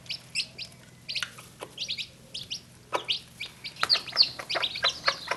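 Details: Mother hen (Gallus gallus domesticus) in Normandy gives low, soft clucks calling her newly hatched chicks to food instead of eating herself, nearly drowned out by the chicks' constant high, thin peeping.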